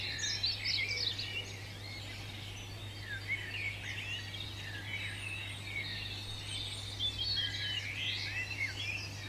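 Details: European robin, a British garden bird in the UK, pouring out a long, rambling, high-pitched song of trills, thin whistles and rapid tinkling notes, unbroken over several seconds, with a steady low hum.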